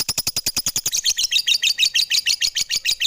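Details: Lovebird at home with rapid chattering song, sharp clipped notes at first, then softer, higher, buzzier notes repeated fast and evenly.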